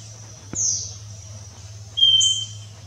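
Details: In Colombia, a scaly-breasted wren, heard far more often than seen, sings one thin, pure whistle near the end, following a brief rasping insect burst and a sharp click, with insects droning throughout.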